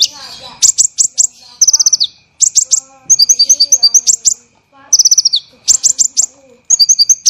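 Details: Olive-backed sunbird song used as training material for songbirds, dense and harsh rapid bursts: fast high trills and buzzy rattling notes repeated in tight clusters, with sharp twittering phrases and brief pauses between bursts.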